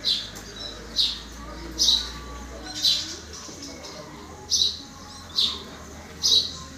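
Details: Common myna repeating a clipped high chirp, seven notes at uneven intervals of about one second, with a faint low hum early on.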